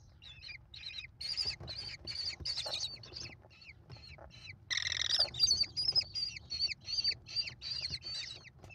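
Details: Five American kestrel chicks clamour as their mother feeds them at the nest, May 2021: sharp, buzzy, downward-bending squeals repeated about two or three times a second, swelling louder midway.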